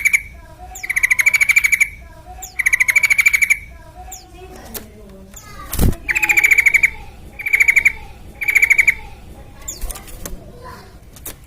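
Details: Sooty-headed bulbul (trucukan) in full song, used as a lure so other birds start singing quickly: short, rapid, rattling bursts about a second long, repeated five times with brief pauses, over a faint low background hum.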